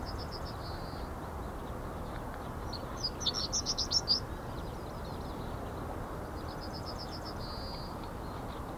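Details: Male Yellowhammer calling in NSG Ahsewiesen on 17 February 2019 at 10:55: a high, fast run of thin repeated notes ending in a drawn-out note, given twice, with a louder burst of chips between, over a low rumble.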